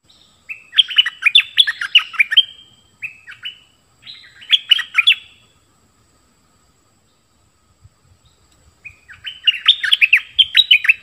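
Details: Bulbul singing bubbly, warbled phrases of quick rising and falling notes, three bursts separated by short pauses and a longer silence, with faint low knocks in the background.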